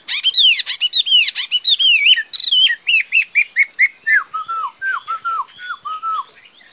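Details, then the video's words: Chinese hwamei song opening with fast buzzy trills and sweeping notes, moving into repeated looping whistles that step lower, ending with a series of short mellow downslurred whistles, about one every half second. "Singing nightingale. amazing bird song. Garrulax canorus"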